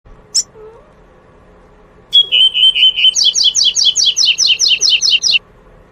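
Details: Wild double-collared seedeater singing the pure tui-tui song type: a single high note, then a steady whistled tone, followed by a rapid run of about thirteen clear, evenly repeated high notes.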